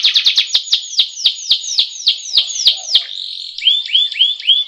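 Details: Canary rolling masteran song for training birds to sing: a steady series of high descending sweeps about every quarter second, a short blurred roll, then four rising, curling whistles.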